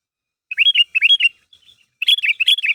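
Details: Sooty-headed bulbul (kutilang) calling companions to make them answer, a lure recording: two bubbly, warbled chirp phrases, a brief faint pause, then two more loud, liquid phrases in quick succession.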